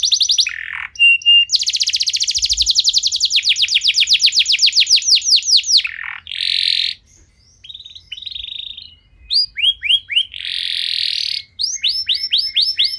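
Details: Canary lure song meant to make other canaries sing, delivered 'nembak' style: a long fast run of descending whistled sweeps, then a low dip, buzzy bursts, and clipped whistled phrases.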